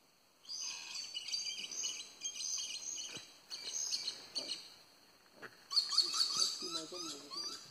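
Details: [1, 'likely', 'calls', 'Violet-necked lory, seen on a tour where many were present, giving harsh, grating high-pitched screeches in bursts about twice a second, with short pauses between bursts and a louder burst near the end.']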